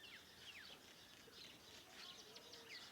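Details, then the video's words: Morning birdsong around a farmhouse: several faint, thin whistled notes, some sliding downward, scattered from a few birds, with a soft low hum in the background. "Sounds of birds in the morning around my farm house !!"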